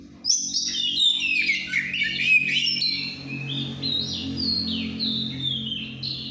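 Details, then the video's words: Caged bird over-aroused in breeding season, singing in the ngeplong manner: a loud, busy opening of sharp whistles and chatters, then a string of stepped, level whistled notes dipping and rising, over a continuous low hum. "GACORNYA BURUNG LAGI OVER BIRAHI CUMA NGEPLONG"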